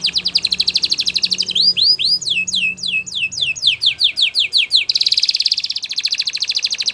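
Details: Canary song for training: a fast pulsed trill, then swooping rising whistles repeated in series, closing with a rapid buzzy roll.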